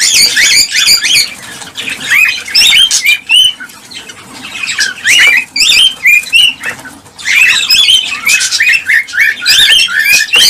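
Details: Many cockatiels calling, played to encourage mating and production: repeated upslurred chirps and grating squawks in irregular bursts, roughly one cluster every two seconds, with brief pauses.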